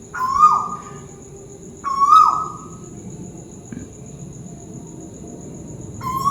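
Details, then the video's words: Tuwu owl from Malaysia calling overhead: two whistled notes under two seconds apart, each steady then dropping, a long quiet gap, and the start of a third note at the end, over a soft background hum. "Burung tuwu malaisia lagi bunyi diatas"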